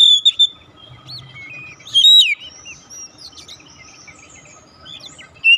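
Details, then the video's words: Oriental magpie-robin singing, played as a lure to start a silent bird singing: a few sharp whistled notes and a falling slurred phrase, then soft, faint warbling, with a last loud note at the end. "pancingan ampuh | memancing ncept Kacer macet bunyi langsung gacor"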